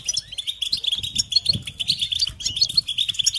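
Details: Goldfinches singing: a dense, rapid stream of bright twittering and chirping notes, with short rising whistles poking above the steady high chatter, and faint low thumps beneath.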